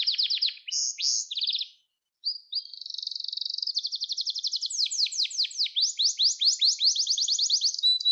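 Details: Gloster canary singing to stimulate and train young canaries: high, rapid trilled rolls and varied chirped tours, a short pause, then long even rattling runs of repeated syllables, roughly two per second.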